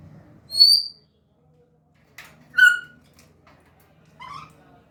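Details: Pet African grey parrot that talks in Urdu and Hindi, heard indoors giving three separate bright whistled notes about two seconds apart, the first high and short, the later ones lower and richer.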